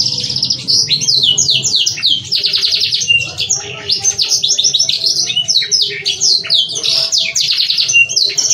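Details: Canary song meant to coax young canaries into full song and breeding mood: unbroken, high-pitched chattering trills and quick descending whistles, packed tightly, with a faint low hum beneath.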